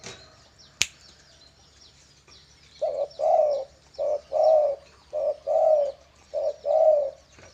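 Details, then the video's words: Caged pet dove being trained and readied for a singing contest; after a single sharp click, a steady run of low, mellow coos begins, grouped in short-long pairs repeated about every 1.2 seconds. "Burung balam merdu siap kontes"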